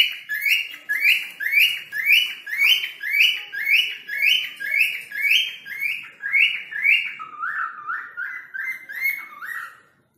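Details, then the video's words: Cockatiel (falk) whistling to call a person's name: loud, full rising whistled notes about two per second, shifting to a lower, quicker series near the end before stopping. "Burung Falk Bersiul Memanggil Nama Seseorang"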